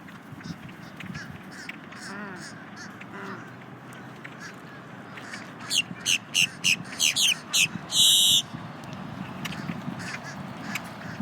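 A grackle gives a rapid run of six or seven sharp, metallic chack notes, then one harsh, rasping squeal, over a low murmur of background noise.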